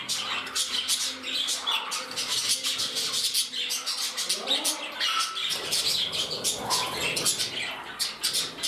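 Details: Indoor budgerigars in a new home, one bird pairing with another while a rival reclaims its place. A long, continuous warble of rapid clicks, chirps and rising whistled slurs, with several birds calling together.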